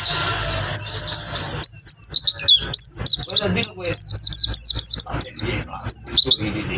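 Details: Energetic white-eye song: after a faint start, a fast, dense stream of very high, sharp, down-slurred chirps and twittering notes, delivered in quick bursts with brief gaps and no pause.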